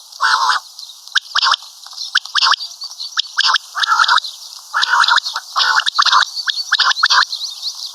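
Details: Common quail, locally batair or karkari batair; loud rasping bursts alternating with rapid sharp doubled and tripled notes, a dense run roughly once a second throughout, high hiss behind.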